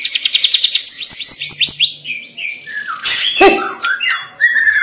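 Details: White-rumped shama singing insistently to spur other shamas: a fast series of repeated high descending notes, a slurred whistle, then a harsh noisy burst and a clear rising whistled ending.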